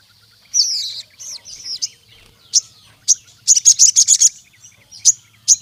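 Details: Sooty-headed bulbul in rival-challenging song: a warbled twisting high phrase, scattered sharp chips, then a quick run of about eight buzzy notes and more isolated chips.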